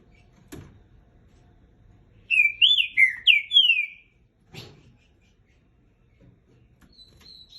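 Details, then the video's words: Three-year-nine-month-old captive green-winged saltator giving one burst of five or six loud, slurred whistles that rise and fall, with a few faint knocks before and after. "TRINCA CANTANDO MUITO"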